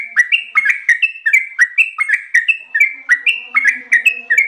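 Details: Trucukan, the Yellow-vented bulbul, delivering lively ropel panjang song without pause: rapid liquid whistles, each phrase a quick drop then an upward flick, repeated steadily with a soft low drone in the background.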